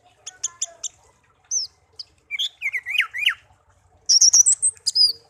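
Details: Hand-reared pet songbird, found in a garden and kept one year, sings scattered high chirps, a wavering warbled phrase, then a burst of rapid high twittering; faint low thumps beneath.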